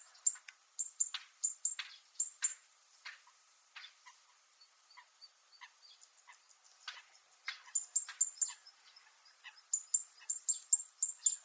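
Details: Zitting cisticola (fan-tailed warbler) on Miyako Island, Okinawa, Japan, producing metallic sounds: bursts of sharp, high, tinny ticks separated by a quieter stretch of scratchy clicks, ticking resuming strongly toward the end.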